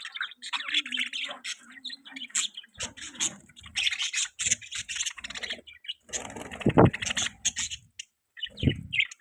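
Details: Budgie chatter of scratchy chirps and short squawks, irregular and busy, with a couple of low thumps or voice-like sounds toward the end.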